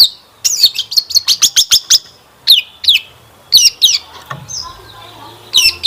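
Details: Long-tailed shrike singing as a lure to draw replies from other shrikes. It opens with a quick series of sharp clicking notes, then gives spaced harsh, squealing phrases and a thin whistle near the end.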